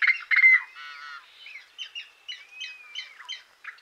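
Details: Short burst from a yellow-headed blackbird: loud buzzy opening notes, a nasal harmonic rattle, then a run of quick clipped chirps with a thin level whistle underneath.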